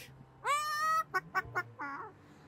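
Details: Pet Moluccan cockatoo enjoying patio time outdoors with its owner: a long, loud, strained harmonic call, then three short clipped notes in quick succession and a final falling call, heard right after someone says quack, over faint background hum.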